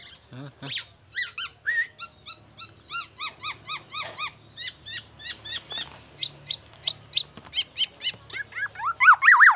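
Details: Black-naped oriole singing mimicked oriental magpie-robin and ambulance siren phrases: a rapid series of short whistled, sharply inflected notes repeated more than twice a second, ending in rising and falling wavering whistles; faint low background hum.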